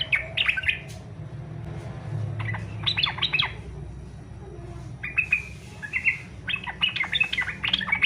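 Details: Yellow-vented bulbul fighter-style song, meant to set other bulbuls singing: scattered short phrases of sharp, bright chirps, becoming a quicker run of whistled notes toward the end.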